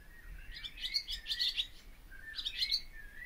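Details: Barn swallow song in two short bursts of bright, scratchy twitter, each joined to a drawn-out, thin whistled note sliding along underneath.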